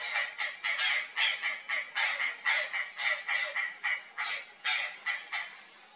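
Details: Startled purplish jay reacting to something odd in the undergrowth: a rapid, uneven string of hoarse, scratchy calls, roughly two per second, fading toward the end.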